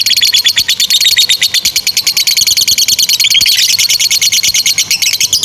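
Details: Long chattering ngekek of a lovebird, used as a training song for young birds; shrill clipped notes repeat fast and evenly, with a brief rising squeal partway through.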